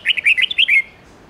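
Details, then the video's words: Wild-style red-whiskered bulbul morning song for young birds to learn: a quick string of about six bright, lilting chirped notes, the last drawn out and slurred downward, then silence. "Luyện chào mào hót sáng âm 10-12-13 giọng già rừng/kích chào mào non,ép má trắng học giọng rừng hay"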